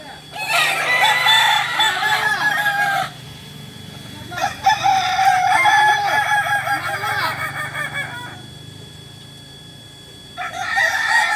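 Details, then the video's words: Several Kokok Balenggek roosters in group training, Ampang Kualo, Solok, West Sumatra, crowing in three loud bursts of about three seconds each, with lower arched crows beneath and a quieter gap between bursts. "Ayam kukuak balenggek"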